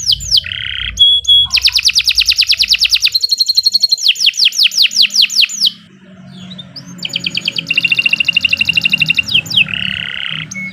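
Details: A canary sings a long unbroken song of rapid rolling trills, each note a quick downward sweep, switching between high ringing tones and lower buzzy rolls, with a short pause midway and faint low background hum.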